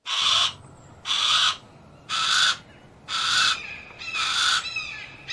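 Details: A Harris's hawk (Parabuteo unicinctus) gives harsh, rasping squawks, about one every second, each half a second long, with faint other bird notes between.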